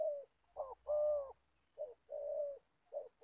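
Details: Spotted dove kept as an old trapping decoy in Gia Lai, Vietnam: a short clipped coo then a long drawn hollow coo, repeated twice, warm low tone with a faint background hum.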